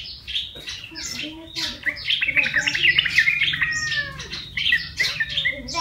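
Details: Lure-trapped wild yellow-vented bulbul, tamed over one month of keeping: lively jumble of chirps and warbled notes, some falling slurs, delivered rapidly without pause.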